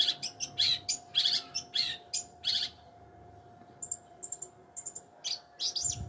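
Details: Long-tailed shrike delivering loud harsh chirps in a rapid burst, pausing briefly, then softer thin high notes and squeaks, with a faint hum and a low thump at the end.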